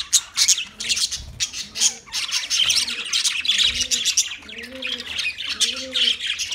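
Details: Budgerigars, Australian parrots, in a busy flock chatter: dense, rapid high twittering and squawky chirps overlap throughout, while soft low arched cooing notes from another bird repeat in the background.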